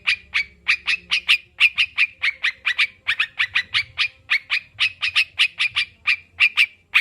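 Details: Sooty-headed bulbul, known locally as crucukan, sings in a recording meant to coax kept birds into singing: a steady stream of lively clipped notes, about three to four per second, over a soft low rumble.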